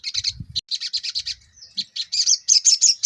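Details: Ruby-cheeked sunbird delivering a busy song of quick high chirps in steady bursts, a short thin whistle in between, then a faster run of sharp notes; faint low thumps early on.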